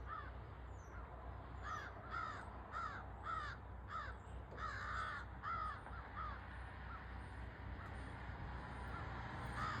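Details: Crow driving off a hawk, captured with an iPhone from a front porch: harsh, downward-curving caws repeated in clusters of two or three, about a dozen in all, loud and clear above a constant low hum.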